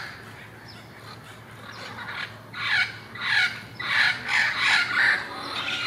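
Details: Wild parrots in Irvine, November 1, thought to be mating, start quietly then break into a run of about six loud, raspy squawks in quick pulses, steadily growing louder.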